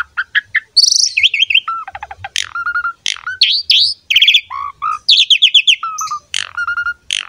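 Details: Asian pied starling in full pumping song display, a fast, jumbled medley of clear whistles, squeaky chatter and harsh notes in rising and falling bursts.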